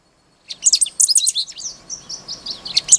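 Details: Great Pampa-Finch (Embernagra platensis), Laguna Diario, Maldonado, Uruguay, 29 February 2012: rapid jumble of high sharp chirps and short buzzy notes in quick clusters for about two and a half seconds.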